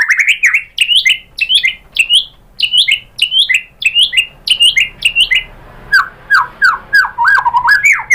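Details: Lure song of a white-rumped shama, meant to make other birds answer: a fast series of short, sharp, looping whistled notes, roughly one or two each second, then dropping to lower, rolling slurred notes toward the end.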